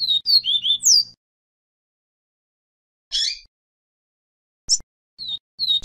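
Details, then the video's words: A seedeater gives a "Vi Vi Ti" song used to train Coleiro and Papa-capim birds: bright, high whistled notes, a quick sliding phrase, then short sharp chips after pauses, over a faint low hum. "Canto Vi Vi Ti TOP para ENCARTE e TREINAMENTO de Coleiro e Papa-capim"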